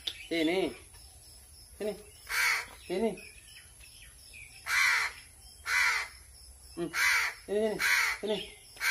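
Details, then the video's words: A hungry crow being hand-fed: scattered rasping caws mixed with frequent short phrases of a man's speech, calls bunching together toward the end. "BURUNG GAGAK KELAPARAN"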